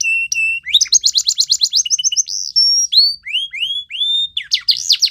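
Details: Belgian canary training song: steady whistles, then a quick run of repeated rising notes, a held tone and a sequence of slurred upswept whistles, loud and clear against faint low hum.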